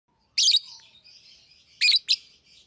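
Fischer's lovebird gives three harsh, shrill shrieks, one alone and then two close together, with soft high twittering chatter between them.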